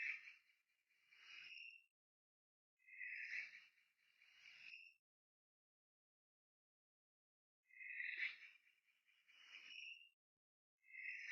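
Harsh, wheezy screeches from an eagle come in paired bursts. Each burst lasts about a second, with brief pauses between them and a longer silence midway.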